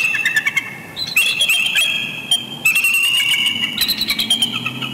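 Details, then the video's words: Bald eagle pair at Big Bear Lake, California, after dusk on 19 November 2020, exchanging chortles at close range as part of pair bonding; bright, high staccato notes in quick bursts, clusters of rapid chips with sustained squealing overtones. "Love Chortles Galore After Dusk Visit"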